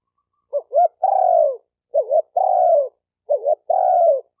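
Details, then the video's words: Three mellow phrases from a spotted dove for training newly caught birds, each a brief wavering double note and then a sustained low coo tapering downward, repeated at even intervals in silence. "Tiếng chim cu gáy tập bổi chuẩn nhất chim hay"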